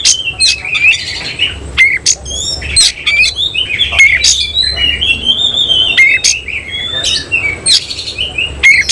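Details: Semi-Cililin Oriental magpie-robin bursting into song with its tail fanned open. A dense stream of bright whistles, slurred notes and harsh chattering is punctuated by many crisp clicks.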